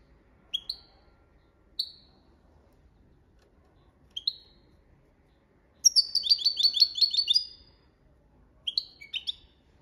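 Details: European goldfinch delivering copia malaga training song: a few well-spaced rising chip notes, then a long rapid rolling twitter lasting over a second, followed by a final tinkling cluster.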